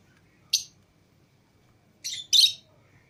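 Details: Pet lovebirds, a green Fischer's pair and a lutino pair, let out of their cage with other lovebirds: one sharp high chirp, then after a pause two harsh, buzzy chirps close together in a quiet room.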